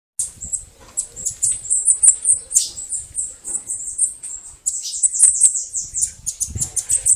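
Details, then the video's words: Bananaquit (cambacica) canto de foguear: a dense, somewhat distant stream of very high, thin notes with a short break near the middle and faint low rumbling underneath. "CANTO DE FOGUEAR SIBITE CAMBACICA CAGA CEBO MARIQUITA"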